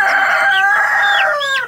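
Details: A young tiger-breed chicken with a cold and fever, held in the hand, gives a strained, hoarse, cough-like call with harmonic bands and short rising and falling slurs, a sound from its throat due to the cold.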